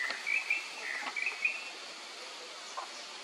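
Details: Male black-naped monarch at the Khao Phu Phlu national park ranger station, Phetchaburi, Thailand, on 1 May 2024; a few short, sharp whistled notes in quick succession, then quiet with faint forest background.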